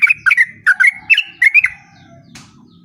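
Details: A lively sooty-headed bulbul gives a brief stretch of its 'ropel' song, used to bait other bulbuls into replying: a quick series of chirping, bubbling notes for under two seconds, then quiet with a faint low hum.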